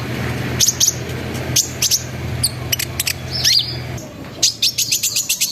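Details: Sunbird song played as a lure for other sunbirds, with rolling, trilling and shooting bursts. Thin, high squeaks and sliding notes come in short groups, ending in a fast rattling series, over a low hum.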